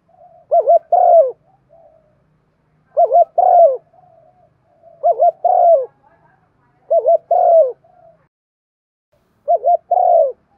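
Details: Spotted dove calling to excite other doves into cooing: five evenly paced low coo phrases, each a short wobbling double note followed by a drawn-out descending note, roughly every two seconds, with faint soft tails between phrases.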